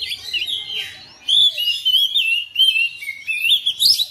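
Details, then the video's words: Oriental magpie-robin kept in a house responding to another bird, a soft phrase, a short lull, then loud rapid whistles and chirps in quick bursts ending with high rising notes. "DALAM HITUNGAN DETIK KACER RUMAHAN RESPON NYAUT IKUT GACOR"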